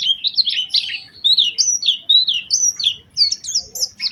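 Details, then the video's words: Oriental white-eye singing a lure song in a special melodic style to set other white-eyes off: loud, high, twittering warbled phrases with rising and falling slurs, continuous and lively. "Pancingan Burung Pleci Gacor Cengkok Istimewa"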